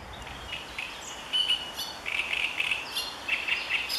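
Marsh warbler giving a fast, scratchy run of high chirps and buzzy notes, bunched into quick bursts with short pauses between them.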